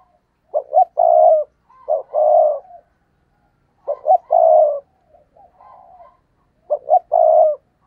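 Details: Decoy spotted dove giving stuttering 'gù cà lăm' coos to provoke wild birds: two short clipped notes, then a long low throaty coo, repeated about every three seconds, with a softer fragment in one gap.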